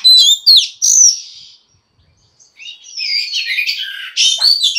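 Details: Oriental magpie-robin female singing to provoke males: bright whistled notes at first, a brief silence, then a scratchy, warbling run of mixed chirps and sliding whistles.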